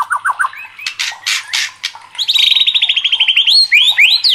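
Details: White-rumped shama (murai batu), worked up and singing: short downslurred notes and harsh buzzy bursts, then a long rapid trill of repeated high notes and closing whistled slurs.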